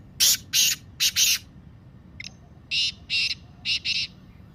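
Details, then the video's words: Black francolin (Kala Teetar) call recording, played to make captive birds start calling. Two phrases of four loud, harsh, rasping notes, separated by a faint short note, over quiet low background hiss. "کالے تیتر کی مستی والی آواز - Kala Teetar Calling Voice"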